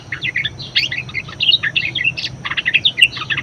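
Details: Budgerigar (parkit), a very vocal bird singing as a tutor for training other birds: a dense, fast chattering warble of short twittering and squeaky notes, nearly continuous, with a low background hum.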